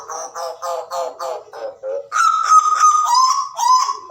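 Hooded butcherbird giving about six harsh, nasal notes at a quick steady pace, then four louder, ringing, slightly falling honk-like notes.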